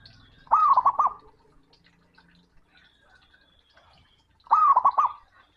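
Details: Male zebra dove calling a rival, loud and booming: two short bursts of rapid rolling, warbled coos about four seconds apart, quiet between them.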